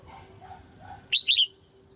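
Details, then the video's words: Female red-whiskered bulbul song meant to rouse males to sing strongly. After a quiet stretch comes a bright cluster of three short whistled notes with rising and falling curves, over a constant faint high hum. "นกหัวจุก birds - เพลงนกตัวเมียเพราะดี ชวนให้นกตัวผู้ร้องอย่างแรง"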